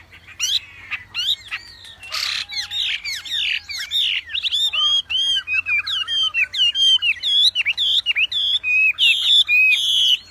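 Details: Wambi in full song, delivering a rapid series of varied whistled and chirped notes, many upslurred or downslurred, with a brief harsh burst early on and a steady tempo throughout.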